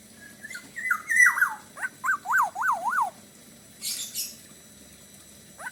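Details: Kepodang, or black-naped oriole, in lively Bali-style song. Wavering slurred whistles run into a series of four arched fluted notes, followed by a brief rustling noise and a final short upslur.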